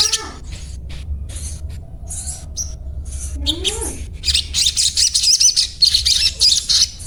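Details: Sogon, the crimson sunbird, giving its everyday 'cuet cuet cuet' song: sparse high chips at first, then quick, loud, rhythmic runs of shrill squeaky notes, with a faint lower rising whistle midway.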